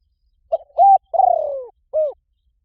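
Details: Cooing spotted dove, as used for luring wild birds. There is a crisp initial note, a flat sustained coo, and a long pulsing note falling in pitch. A rounded short coo finishes the phrase, with no other sounds.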